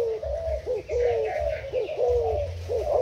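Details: Decoy spotted dove of Thailand stock, 10 April 2018, giving short, quick paired coos in a brief burst, with low rumbling noise underneath.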